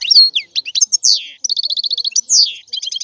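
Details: Short phrase of European goldfinch song, mixing sharp tinkling notes, two loud downward buzzy sweeps and an even rapid trill.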